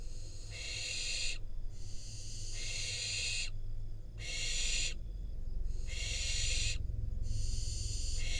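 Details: Wild barn owl fledgling in Israel taking a rodent from its parents and eating it; long harsh screeching hisses of one to two seconds come in a steady series, with a low rumble underneath.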